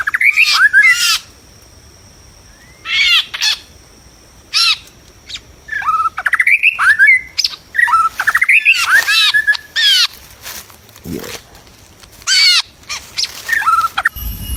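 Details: White-rumped shama singing in the wild during trapping: loud, varied whistled phrases with sliding, arched and rising notes, delivered in bursts separated by short pauses.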